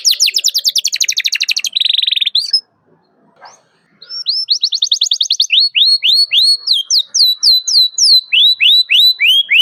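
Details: Canary calling a rival, played as a lure for canaries learning to sing: fast chirping trill and buzzy roll, a pause of about a second and a half, then repeated hooked whistled notes.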